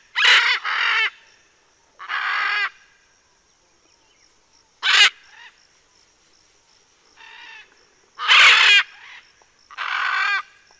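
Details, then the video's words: Macaws cooling off in Southern California, 7-12-2023, giving loud raucous screeches in irregular bursts: a quick pair at the start, then single harsh calls every one to three seconds, with quiet gaps between. "Guacamayas refrescándose"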